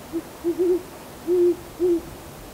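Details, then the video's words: An owl calls on a cold night around 7:15pm on December 23, giving a short series of low, soft hoots, some brief and some drawn out, spaced irregularly over a quiet background. "Owls calling"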